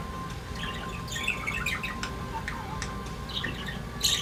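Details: Budgerigar pair kept as pets chattering: dense scratchy twitters and chirps in overlapping bursts, ending with a loud sharp squawk, over a faint electrical hum.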